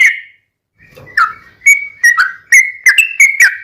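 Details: Yellow-vented bulbul singing in the ropelan tembus-tembus style with ngelituk fill, after a short pause: clear whistled notes near one pitch, each starting with a sharp click, growing into quick bubbly phrases.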